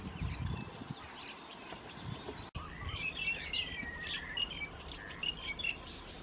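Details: White-vented myna feeding on Ficus rumphii figs in rice fields at Ban Thai Talat, Khao Yoi, Phetchaburi, Thailand, 28 March 2016; scattered high chirps and a sliding, arched whistled note, with low rumbling noise early on.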